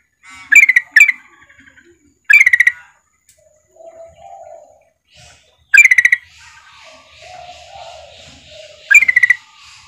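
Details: Female yellow-vented bulbul calling for a male: loud chattering bursts of rapid bright notes repeated every two to three seconds, separated by soft low hollow tones and quiet twittering.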